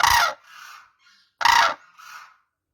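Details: Crane giving two loud, harsh, rasping calls about one and a half seconds apart, each followed by a softer, trailing after-note.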